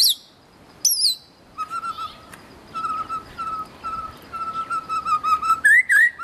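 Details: White-rumped shama singing in the wild: two high sweeping notes, then a long series of steady, even whistles repeated roughly every half second, ending in quick rising and falling slurs.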